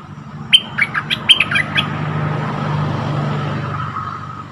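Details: Bulbul call used as a wild-bird lure: a short rapid series of bright, clipped whistled notes near the start, then only a steady low rumbling noise.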